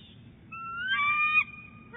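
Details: Female bald eagle at her nest at Big Bear Lake on January 11, 2018, calling early while rolling eggs: a thin, clear whistled note rising and then holding steady with bright harmonics over a quiet low rumble.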